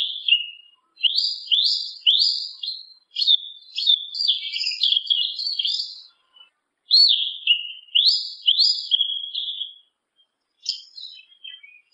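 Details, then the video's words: Yellow-legged thrush song, a long run of high, sweet whistled phrases, many falling slurs and quick twittery jumbles strung together with short gaps, pausing near ten seconds before a final thin flourish; quiet background. "SABIÁ UNA PRETA E SEU CANTAR, SABIÁ CHAMANDO, O CANTO DO SABIÁ PRETO"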